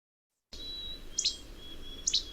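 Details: Least Flycatcher, a very common Alberta bird whose simple song nearly every individual sings identically, gives two sharp, snappy 'che-bek' notes about a second apart, high and dry, over a faint steady high hum.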